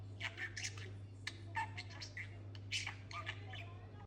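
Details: Talking pet budgerigar delivers squawky, mumbled speech-like chatter, bursts arriving roughly once a second at an irregular pace, accompanied by a faint steady background hum.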